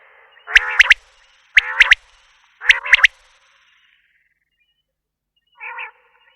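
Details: Common quail delivering three clear phrases about a second apart, each a buzzy note topped by a sharp triple pip, then one softer nasal note after a pause.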